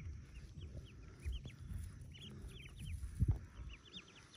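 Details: Hatching ducklings, about forty, in a cave nest: scattered high, descending cheeps in small clusters above continuous low rumble and a couple of knocks.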